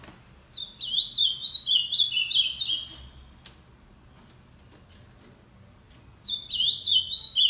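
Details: Tournament ultramarine grosbeak in steady song, each bright whistled phrase stepping down through a few slurred notes over about two seconds, repeated after a pause, with faint knocks from the cage.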